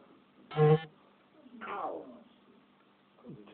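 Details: Camera-shy pet African grey parrot indoors letting out one loud, buzzy, harsh call with strong low harmonics, followed by a softer descending raspy sound and a brief rising note at the end.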